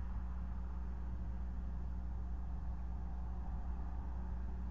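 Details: Steady low engine-like rumble and hum throughout, with no animal voices.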